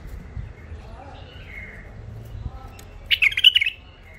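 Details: Wild-caught bulbuls from Mandali, Iraq, held in captivity: a faint whistled phrase early on, then a loud burst of rapid, jumbled chirping notes near the end over low background rumble.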